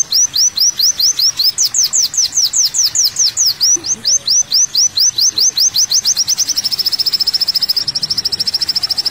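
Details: Olive-backed sunbird song used as a training recording: a series of sharp downslurred high notes about two per second, speeding into a rapid trilling rattle near the end.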